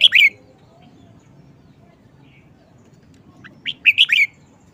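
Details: Red-whiskered bulbul performing its short song phrases and singing busily: a brief loud whistled note opens the clip, then after a pause a rapid run of four or five clear, rising and falling whistles, with a quiet background.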